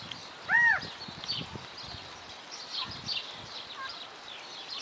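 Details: California quail in Wanganui, New Zealand, giving one loud, short, arched nasal note that rises and falls, followed by faint softer notes, while other small birds chirp steadily in the background.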